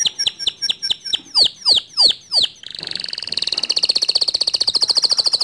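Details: Male white canary in standard long song: loud, spaced, downward-slurred whistles give way to a long, fast, buzzy trill that keeps rolling to the end.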